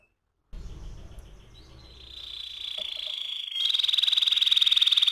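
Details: AF canary rolling song starting after a brief silence with low rumbling noise, building into a steady high buzzy trill that turns into a loud, fast, even pulsing roll.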